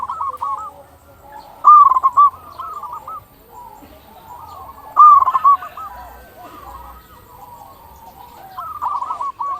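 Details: Local zebra doves cooing, a recording meant to stir doves into calling. Two loud bursts of fast, clipped notes stand out between long stretches of quieter overlapping coos.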